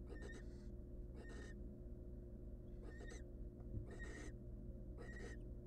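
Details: Hungry wild barn owl nestlings begging in a monitored nest box as the family brings in a large food supply: raspy, hissing screech bursts, a few close together then spaced about a second apart, over a steady low hum.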